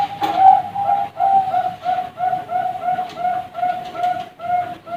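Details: Farm-raised young zebra doves of Bangkok stock produce a long run of evenly spaced coos, each a short clear note repeated about three times a second at a steady pitch.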